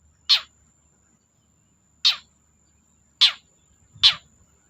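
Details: Long-tailed shrike, an actively singing bird used as a lure to get silent shrikes to sing: four short, harsh, downward-sweeping notes spaced one to two seconds apart, with faint low background rumble.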